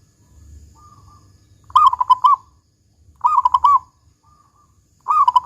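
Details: Big 'kung' song of a local zebra dove, played to set other doves singing: three bubbling coo phrases of rapid notes, with a faint short soft coo heard between them.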